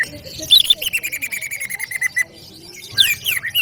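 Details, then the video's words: Greater green leafbird (cucak ijo) in gacor masteran song: a run of quick chirps, then a long series of clear whistled notes slowly falling in pitch, ending in rapid sweeping notes, with faint low background rumble. "SUARA MASTERAN CUCAK IJO GACOR"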